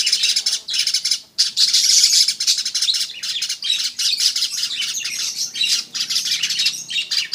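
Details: A weaver sings a dense, buzzy, crackling chatter in long, near-continuous bursts with short breaks, and the high sizzling notes are at their fullest around the middle of the passage.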